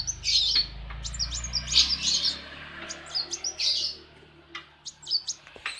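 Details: Captive kolibri wulung sunbird in full morning song at a workshop: bursts of sharp, high twittering notes that come in clusters and then thin out, over a faint low hum.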